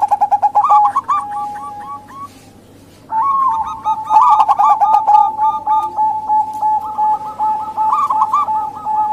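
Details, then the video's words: Female zebra dove, a local bird, used to lure reluctant male doves or wild doves: a clipped cooing phrase, a quiet gap of about a second, then sustained rapid rippling coos to the end. "Pancingan Perkutut Lokal & Bangkok Biar Rame Diteras"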